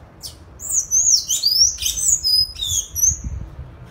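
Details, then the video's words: High-pitched, loud, successive song of a Sayaca tanager living free in nature: squeaky rising and falling whistles strung together without pause, low background rumble. "SANHAÇO CINZA CANTANDO SOLTO NA NATUREZA LINDO CANTO DO SANHAÇO CINZENTO"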